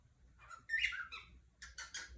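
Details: Cockatiel in Brazil giving short harsh chirps: one rasping burst, then three quick scratchy notes in a row, over a faint low hum.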